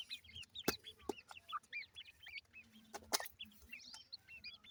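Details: Many young grey francolins (teetar chicks) chirp in quick succession, their thin, high, curling peeps overlapping, with occasional sharp clicks.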